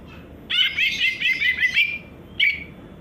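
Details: Greater green leafbird singing a rapid run of bright chirping, warbled notes for about a second and a half, then a brief pause and one short chirped phrase, over a low background hum.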